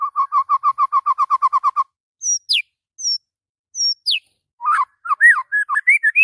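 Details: Caged white-rumped shama singing in the morning: a rapid string of even mellow notes, then very high thin descending whistles spaced apart, ending in a jumble of varied chattering phrases.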